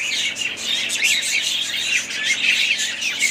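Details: Budgerigars kept as a family flock give continuous high chirping and warbled chatter, many birds calling at once in a dense, scratchy twitter.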